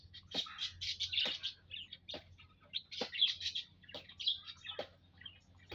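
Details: Aviary munias in a group, recorded 19 April 2025, chattering with dense bursts of thin, high tweets clustered together, spaced by loud clicking knocks at irregular intervals.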